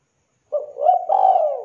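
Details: Spotted dove (tekukur) in active voice, mastered for clarity: a single low coo phrase, opening with a brief note that rises into a sustained, slightly wavering hoot, against a clean silent background.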